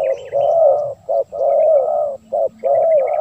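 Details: Spotted dove recording meant to attract wild doves: loud, near-continuous low cooing, long drawn notes broken by short clipped coos, with faint high twitters behind.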